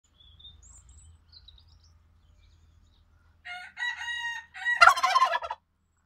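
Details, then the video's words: A male turkey calling out at a rooster: a few clear, ringing notes, then a loud, harsh, rattling burst lasting about a second, with faint high chirps from small birds earlier. "Truthahn schreit"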